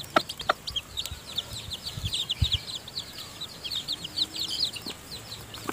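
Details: Newly hatched chicken chicks in their nest while the mother hen feeds them: a constant overlapping chorus of high, thin peeps, with a few short, sharp hen clucks near the start and end.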